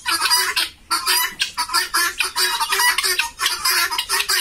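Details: Helmeted guineafowl on a farm in Bongaigaon giving harsh, grating cackles in rapid, repeated bursts.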